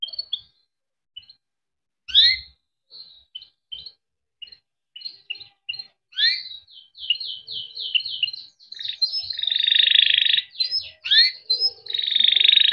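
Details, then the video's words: Domestic canary in a long chirping song intended to encourage other canaries to sing: scattered chirps building into rapid sweeping notes and dense buzzy rolled trills, with a faint low thump. "Kenari gacor cuit cuit ngerol untuk pancingan kenari biar gacor"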